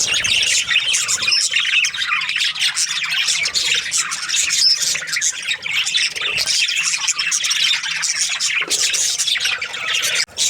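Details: Many budgerigars from breeding pairs chirping: dense scratchy warbling and squeaky squawks, continuous and even in loudness, heard indoors-like and close.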